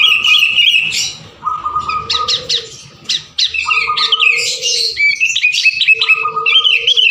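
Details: Busy sooty-headed bulbul song for drawing out other singers: chattering bursts and whistled phrases separated by short lulls, accompanied by sustained tonal humming.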